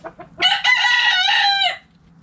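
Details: A rooster in a backyard chicken coop crows once, a loud harmonic cock-a-doodle-doo held for over a second after two short lead-in notes.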